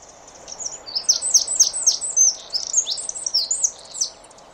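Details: Eurasian wren song, a bird that marks its territory in deciduous and mixed woods, parks and gardens in Germany: a rapid, loud, high-pitched cascade of sharp trills and twittering notes sustained for about three seconds.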